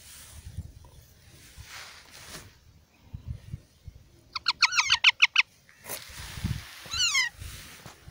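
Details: In a park, Indian ringneck parakeet chicks produce a quick series of about seven sharp pulsed notes followed by a grating call that slides downward; soft rustling and low background noise around them.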